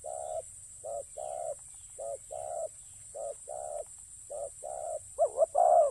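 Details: Soft, evenly spaced muffled coos from a spotted dove used as a ground decoy, ending in two louder, warbling, wavering coos; a thin steady hiss sits high above.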